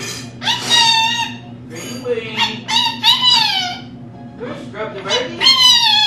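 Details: Pet female lorikeet indoors mimicking human speech, a sample of her large vocabulary: four bursts of raspy, nasal, word-like syllables with strong overtones, separated by short pauses, over a steady low household hum.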